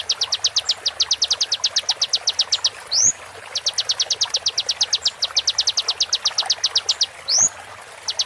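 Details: Training recording of a konin singing: long rapid trains of piercing high notes, each followed by a brief upswept slur, the pattern repeating twice with steady rhythm over soft background noise.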